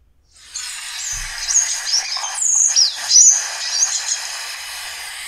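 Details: Andean siskin song from the Río Blanco reserve, Caldas, Colombia, a species found at 1,600–4,100 m: a fast, jumbled run of high, thin twittering and buzzy notes with quick sweeping whistles, continuous for several seconds.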